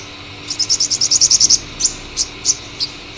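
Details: Purple sunbird song, a rapid run of high, bright repeated notes lasting about one second, followed by four spaced single chips.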